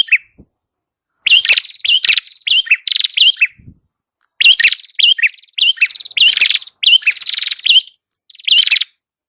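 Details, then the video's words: Red-headed prinia (prenjak kepala merah) in full, lively song, recorded as master audio for training birds and luring them. Loud, sharp, high chirping notes come in rapid bursts of several notes, with short pauses between the bursts. A brief quiet gap follows the first note. "Masteran burung prenjak kepala merah Gacor"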